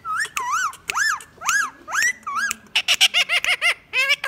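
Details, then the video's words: Talking Indian ringneck parakeet, a pet indoors: a series of clear arched whistles, each rising then falling, about two per second, followed by a quick run of harsh, buzzy chattering notes. "Talking parrot saying mian mithu | parrot talking and laughing"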